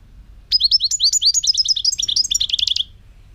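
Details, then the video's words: Song of a European goldfinch recorded in 2018: a long, rapid babble of some thirty high, rising and buzzy notes lasting over two seconds, ending in a fast trill. "chant chardonneret 2018"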